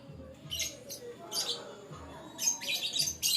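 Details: Lovebirds give harsh, high, shrieking chatter in short bursts, several a second, with a faint low hum underneath; the sound is meant to be played over Bluetooth to help recover escaped lovebirds.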